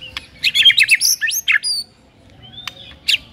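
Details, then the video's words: Morning White-rumped shama song meant to provoke a rival shama: a rapid burst of high chirps and sweeping notes, then near quiet with a thin whistle and one sharp chip. "5 DETIK DI PAGI HARI SIAP BIKIN MURAI LAWAN AUTO NARUNG & GACOR SEKETIKA"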